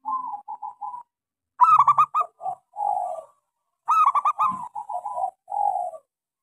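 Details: Lure song of a local zebra dove with a small voice, meant to get non-singing doves going: an opening soft trill, then two phrases of rapid bright stuttered notes trailing into warm, falling coos.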